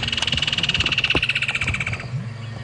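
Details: Woodland kingfisher calling during a sunset safari drive in late November, giving its high, rapid, slightly descending trill for about two seconds, over the low rumble of an idling engine.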